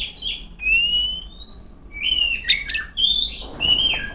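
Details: Singing female Oriental magpie-robin calling rivals: long pure whistles held and gently rising, broken by a couple of sharp chirps and short slurred notes.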